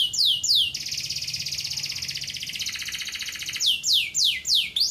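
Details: Male local-breed domestic canary singing a tutor song meant to teach young canaries: sharp descending sweeps, then a long rapid buzzing trill that steps down in pitch, ending in more quick falling whistles; quiet indoor background.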